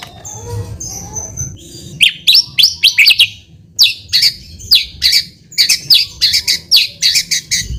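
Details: White-rumped shama song as a response lure: sharp, high chipping notes in quick clusters, repeated in groups with short gaps, after a quieter opening.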